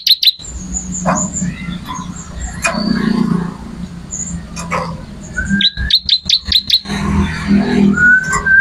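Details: Bar-winged prinia song: sparse high whistled notes and chirps, then a rapid string of sharp repeated chirps near the end, with a low humming background throughout.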